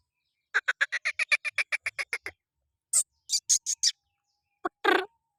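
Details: Black francolin, known locally as kala tetar, calling: a rapid series of about twelve harsh, evenly spaced clipped notes, then four quick buzzy notes and a final rasping burst, on a clean, silent background.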